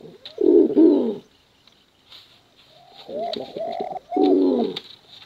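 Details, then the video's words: Pigeons, male and female, in a bekuran contest coo: a throaty rolling burst, a quiet gap, then repeated hooting coos and another gurgling roll, with faint ticks behind. "Suara Bekuran Burung Merpati Lomba Hutan Dara Durasi Panjang"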